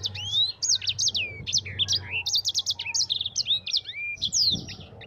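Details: Yellow-fronted canary in vigorous rolling song, kept as a training recording for other birds: a lively jumble of high chirps, buzzy rattles and long descending and rising whistled glides, nearly free of other sound.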